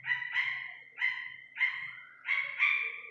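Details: Iranian partridge chick calling: four loud, harmonically rich, slightly nasal notes, each falling and trailing off, spaced about half a second to a second apart, with a faint low hum underneath.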